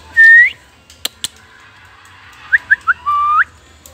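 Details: Oriental magpie-robin in a forest singing in a duel with rivals; a clear rising whistle, then three short whistled notes and a longer level whistled phrase, with two sharp clicks between and a faint low rumble.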